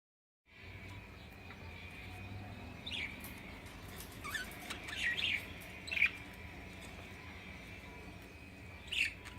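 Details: A pet cockatiel sitting and cuddling with a budgie gives brief, bright chirps at scattered intervals over a steady high background hum.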